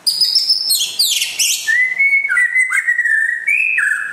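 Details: White-rumped shama from West Aceh, Indonesia, described as rare, singing; high sharp notes and rapid slurred phrases give way to long steady whistles that shift between pitch levels, with a rich, varied flow.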